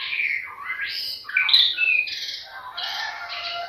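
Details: White-rumped shama singing a lure song meant to provoke other birds to sing: rich, fluid phrases of rising and falling whistles mixed with buzzy, squeaky notes, delivered continuously against a quiet background.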